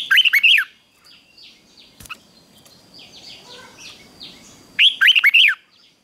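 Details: Red-whiskered bulbul practising morning fighting song delivers two short, lively warbled phrases of four or five looping whistled notes, about four seconds apart, with soft distant descending chirps and a click in between.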